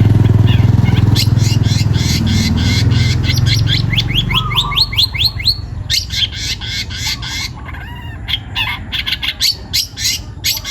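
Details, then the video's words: Young forest-caught long-tailed shrike in full loud song: rapid strings of sharp buzzy notes repeated several times a second, with slurred whistles and harsh chatter, over a strong low rumble that fades midway. "CENDET PASTOL MUDA HUTAN (MH) GACOR BUNYI"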